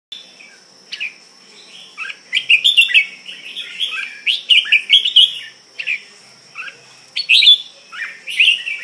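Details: Red-whiskered bulbul of the style called Suea Mek, kept as a cage bird, singing loud bursts of bright warbled and whistled phrases, each lasting about a second, with short pauses between; a steady high electrical whine runs underneath.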